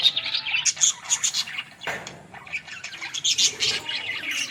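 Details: Budgerigar calls recorded in a village: busy high-pitched chirping and scratchy warbling in rapid uneven pulses, with a sudden wing-flap burst around two seconds in.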